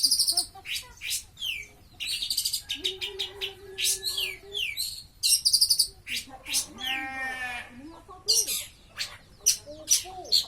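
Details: Caged long-tailed shrike singing energetically while being sunned: a busy torrent of bright chirps, sharp high notes, downslurred whistles and a brief rattling buzz, varied and continuous.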